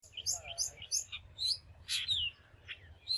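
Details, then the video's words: Long-tailed shrike (Lanius schach), a common bird around homes in Bangladesh, gives quick high chirps about three per second, then a harsh rasping burst and a falling whistled note, over a faint low rumble. "কালোমাথা কসাই/ ল্যাঞ্জা লাটোরা/ কাজল আঁখি/ Long tailed Shrike/ Lanius schach পাখির ডাকাডাকি"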